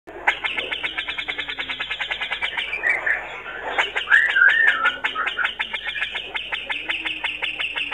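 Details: A male Grey-cheeked Bulbul sings a fast, harsh chattering stream of rapid notes, broken midway by a few clearer whistled phrases. The song is used to provoke rival males.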